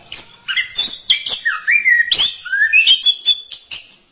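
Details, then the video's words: Orange-headed thrush singing a masteran-type phrase: clear whistled notes that swoop downward, then a rising slurred whistle and quick twittering chips, loud and close. "Berbagai kicau burung anis masteran"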